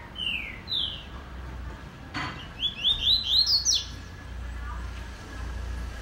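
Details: Double-collared seedeater (Sporophila caerulescens), song.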